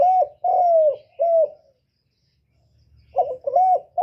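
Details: A caller spotted dove coos a run of low, mellow hooting notes, several drawn out and slurring downward, with a short pause before the phrase resumes.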